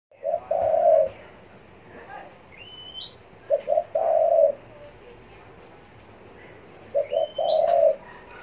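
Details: Spotted dove cooing in Long Thanh, Dong Nai, Vietnam: two short low notes then a longer drawn-out coo, repeated about every 3.5 seconds, with thin rising chirps from another bird between.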